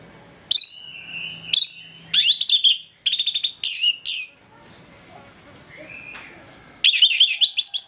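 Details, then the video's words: Orange-headed thrush singing hard in the morning as a lure to stir aggression: loud, sharp, harmonically rich notes in clipped bursts, some rapidly stuttered, a pause with a faint whistle, then another fast burst. "ANIS MERAH NGEPLONG PAGI, PANCINGAN ANIS MERAH AGAR CEPAT EMOSI"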